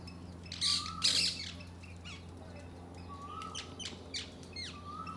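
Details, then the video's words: Parakeets in a yard give loud, harsh screeches and squawks, with thinner chirps and a few short whistled notes in between, over a low steady hum. "Parakeets in my yard"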